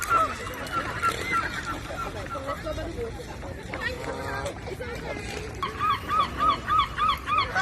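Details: Gulls by the sea give repeated short nasal yelps amid a busy colony chorus and murmuring human voices, ending in a clear run of rhythmic calls.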